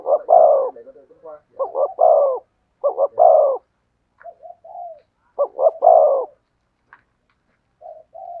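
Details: Spotted dove singing thổ sấm style coos. Hollow phrases of a double note and a long coo alternate with quiet, short, level notes and longer silent gaps.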